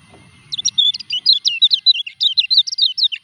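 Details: Moulting Lemon-bellied white-eye (kecial kuning) delivering a fast, continuous chatter of high, zigzagging chirps for about three seconds after a brief low background murmur.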